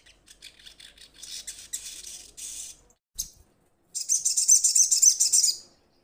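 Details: Crimson Sunbird calling to companions, giving thin high chittering notes that build into a long, fast, dense trill, then pause before a louder, steady rattling burst lasting nearly two seconds. A brief low thump is heard.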